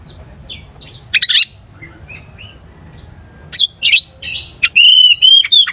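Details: Provoked Oriental magpie-robin gives scattered short whistles and harsh bursts separated by quiet gaps, then a loud sustained run of bright wavering whistles near the end.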